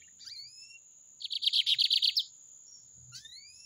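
Lined Seedeater gives a rapid burst of about eight sharp, metallic notes in one second, framed by rising whistled slurs, over a steady high-pitched whine.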